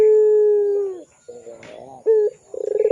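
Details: Barbary dove (puter pelung) cooing as a lure for training young birds: a long steady low hooting note, then a brief pulsed stutter and a short note, ending in a rapid throbbing roll.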